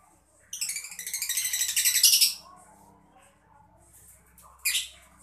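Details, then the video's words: A mocca lovebird twitters to stimulate other birds to sing. A fast, rattling series of rising chirps builds in loudness for about two seconds, followed later by one harsh chirp. "lovebird mocca gemericik cocok buat mancing burung biar gacor"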